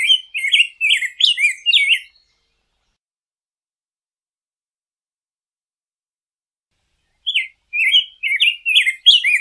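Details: A Rose-breasted Grosbeak (Pheucticus ludovicianus) sings rich, robin-like warbled phrases of quick rising and falling notes, in two short bursts separated by a long silence.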